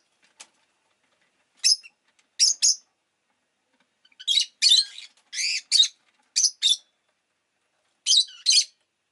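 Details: Shrill, scratchy, high-pitched chirps from a rosy-faced lovebird, Agapornis roseicollis, often in pairs and short runs of three or four, separated by brief silences. Little other sound is heard. The recording is stated to include city noise.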